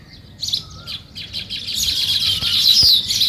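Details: Sparrows in the morning chirp in a busy overlapping chorus of short, high, bright notes that grow denser through the clip.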